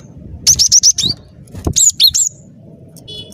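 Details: Energetic song of a cinereous tit used to lure birds for trapping: a quick string of sharp, high piping notes, then a second phrase of looping whistles, with soft low background noise.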